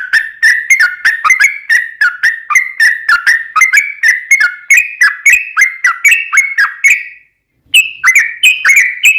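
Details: Trucukan bulbul giving gacor 'ropel panjang' song meant to provoke other bulbuls into singing: a long run of quick bubbly chirps that steps gradually higher, broken by a brief pause near the end.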